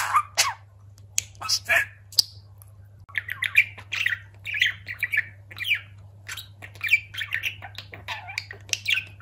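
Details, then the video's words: Talking pet budgerigar indoors, giving a rapid stream of scratchy, buzzy chatter and short squawks that rise and fall, with brief chirps packed closely together under a steady low hum. "Konuşan muhabbet kuşu"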